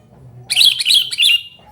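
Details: Noisy calling of a sooty-headed bulbul, used for luring and as a tutor for birds that sing little: three rapid bubbly chirps in a short burst, with a faint low rumble beneath.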